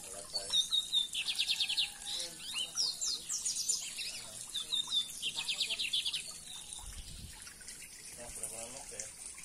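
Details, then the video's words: Singing lined seedeater giving fast buzzy trills and sharp high notes in separate bursts, while a person talks quietly and watery background noise runs throughout. "Bigodinho de Wellington cantando!"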